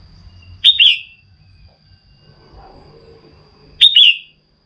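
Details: A female red-whiskered bulbul gives ringing, downward-curving double whistles, two of them about three seconds apart, to spur a male to sing. A low rumbling background and a steady thin high tone run underneath.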